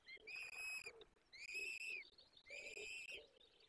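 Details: Three drawn-out, piercing begging screams from peregrine falcon chicks fed at their nest in forest, Barycz Valley, 17 April 2024, each level and slightly falling at the end, spaced about a second apart.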